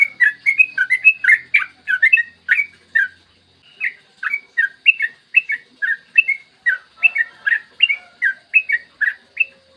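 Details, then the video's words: Long continuous 'ropel' song of a yellow-vented bulbul, recorded in the morning as a lure to make bulbuls sing: a dense string of bubbly, chattering whistled notes, roughly two per second, with one short break. "PANCINGAN TRUCUKAN AGAR BUNYI burung TRUCUKAN GACOR ROPEL PANJANG"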